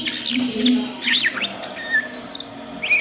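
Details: Daytime ngriwik song of an Oriental magpie-robin, with sharp zigzag whistles and quick up-and-down slurs followed by a few thin level notes, with a low hum underneath.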